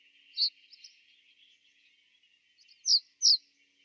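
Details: Common reed bunting (Emberiza schoeniclus) call in winter 2012–2013 at Genk-Boxberg, Belgium: four thin, high, slightly descending 'tseeu' notes, unevenly spaced, over a steady background hiss.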